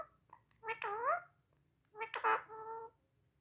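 An Indian ringneck parakeet talking: two short, nasal, speech-like phrases, each under a second, with a brief pause between and a faint room hum underneath.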